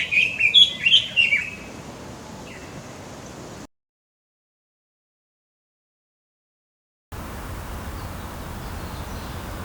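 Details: Red-billed leiothrix spring-to-early-summer song: one quick, bright warbled phrase of rising and falling notes lasting about a second and a half, followed by faint background hiss.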